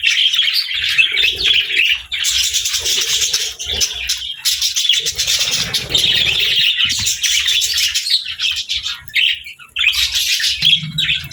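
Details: Budgies chirping and singing beside lovebirds: long stretches of rapid, high warbled chatter broken by a few short pauses, with soft low knocks beneath.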